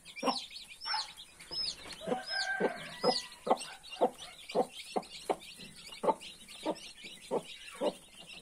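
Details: Domestic hen tending a brood of 31 newborn chicks, giving steady low clucks roughly every half second while the chicks keep up a chorus of shrill, curving peeps above.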